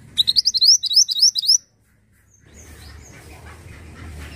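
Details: Pied bushchat, described as black-headed, delivers a quick run of high, sweet, upslurred chirps repeated several times per second for about a second and a half, followed by low background rumble.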